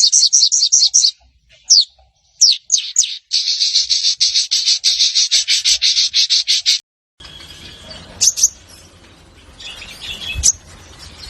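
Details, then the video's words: Crimson sunbird (sogon) in energetic song, used as a lure to set other sogon singing: fast high chips repeated in dense bursts for about six seconds, then a few scattered thin notes over a rougher, noisier background. "Suara Sogon Gacor - Sogon Ijoan, Trotol, Macet Pasti Langsung Nyaut"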